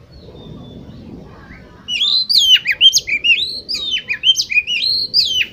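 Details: Competition Oriental magpie-robin singing on its perch, played as a lure to get other contest birds singing. Near-silence for two seconds, then a rapid run of loud, varied whistled and warbled notes that sweep up and down without pause.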